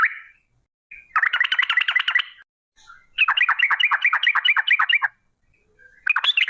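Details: Singing yellow-vented bulbul used to provoke others into song, delivering long 'ropel' trills: chattering runs of rapid rising notes in three bursts separated by short pauses, background silent.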